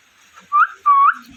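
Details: Parrot giving two loud, clear whistled notes, each holding steady then sweeping upward at the end, about a third of a second apart, followed by a person speaking.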